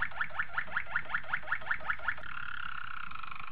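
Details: Malinois Waterslager canary singing a training song: a run of rapid repeated rising notes, about a dozen in two seconds, then a sustained bubbling, water-like rolling trill.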